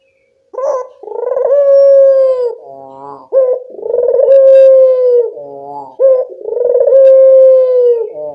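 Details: Loud, close cooing of a local Barbary dove used as a lure: three long phrases, each a short rising note, then a sustained low tone that drops at the end, repeating about every three seconds.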